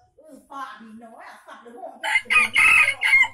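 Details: An Aceh junglefowl, recorded in Indonesia to lure wild birds, makes low wavering calls and clucks, then a loud crow of four rough syllables rising in force toward the end.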